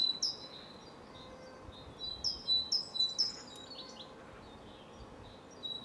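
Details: Great tit heard in Cambridge, UK, 24 March 2020 around 2 pm; a few scattered two-note high-low phrases, one at the start and a group of four in the middle, fainter chirps and long quiet gaps.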